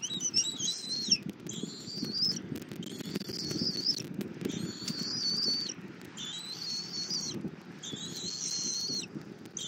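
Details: Bald eagle nest in Southwest Florida, nest camera, 08:41 on 24 February 2024, mother feeding her eaglet an armadillo. Quieter high whistled bursts repeat roughly every one and a half seconds over steady low rumbling noise.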